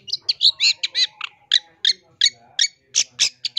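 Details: Gacor long-tailed shrike masteran rich in imitated phrases, 2023 training material for caged and lure birds. Rich bursting chirps repeat almost three times a second, some with faint rasping tones underneath.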